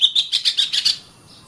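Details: Oriental magpie-robin (Copsychus saularis), a training recording for caged birds, gives a quick run of about seven bright, high chirps, roughly seven per second, lasting a second before falling quiet.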